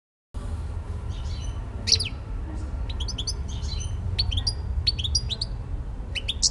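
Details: European goldfinch from Elbasan, Albania, giving short bursts of high, sharp twittering notes and quick rising and falling chirps at irregular intervals over a steady low rumble of background noise.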